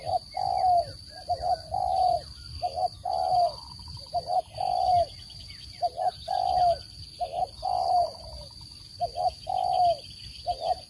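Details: Spotted dove calls used as a lure for bird trapping, a clean voice without noise: low, hollow coos in repeated phrases, each a quick double note followed by a longer drawn-out coo, about ten phrases, over a faint steady high whine.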